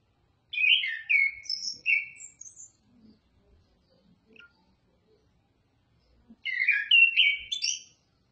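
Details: Oriental magpie-robin giving two bursts of fast, varied high warbles and whistles separated by several seconds of quiet.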